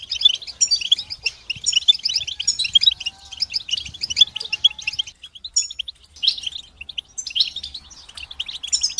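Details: Massed twittering of European goldfinches, meant to help moulting goldfinches resume singing; lively bursts of high jangling chips alternate with quieter stretches, then the chorus picks up again.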